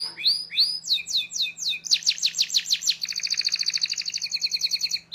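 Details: Canary song used as a lure and master recording for training young canaries to learn sounds: rapid sweeping whistled notes, then quick buzzy repeated syllables, ending in a fast trilled roll, with a faint low hum beneath.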